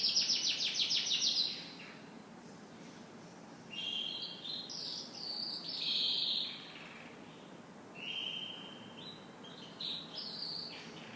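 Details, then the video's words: Canary singing in the morning: a fast buzzy high trill in the first seconds, then separated bright whistled phrases and short trills with quiet gaps between them, over faint background hiss. "Canary Morning Singing"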